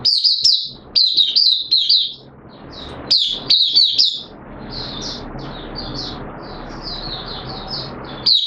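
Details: Caged oriental white-eye (mata puteh) opening its song in wet weather on 6 September 2022: rapid runs of high twittering notes in quick bursts, then softer fluttering phrases, over steady background noise.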